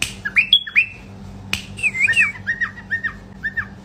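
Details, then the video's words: Male bulbul singing a loud run of clear whistled notes, an upslurred phrase, then a series of short, evenly spaced downslurred whistles repeated about every half second, with a sharp click in between. "اقوه تغريد بلبل فحل طك جنح"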